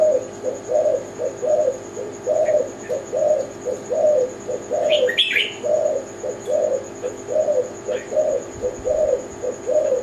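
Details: Tekukur Kelantan, a zebra dove, coos in short rolling low phrases spaced roughly a second apart. A few sharp high chirps break in around the middle, and a constant thin electronic tone runs underneath.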